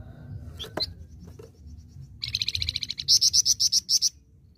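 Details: Flamboyan in full, active song, a live bird: a few sharp high chips, then a fast run of clipped buzzy notes followed by louder, ringing whistled notes repeated about four times a second, each separated cleanly from the next.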